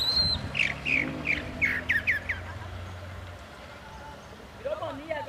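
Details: Chalk-browed mockingbird song: a quick run of about seven sharp, downslurred chirping notes, then a pause with low background hum and a faint murmur at the end.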